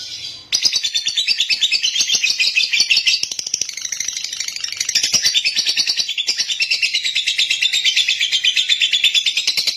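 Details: Lovebird giving a clear, long-lasting song: an unbroken, high-pitched, rapid chattering trill of dense buzzy notes that starts abruptly after a brief pause and then pours on steadily without a break.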